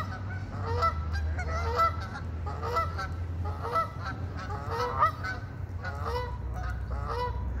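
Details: Park geese give a run of nasal, overlapping honks about once a second, some rising slightly at the end, against a constant low-pitched background hum.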